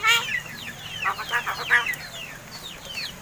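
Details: Talking crested mynas, seven months old, raised in captivity and called quarrelsome: a loud harsh burst at the start, then softer chattering phrases with bent whistles and rasping notes, fading in the last second.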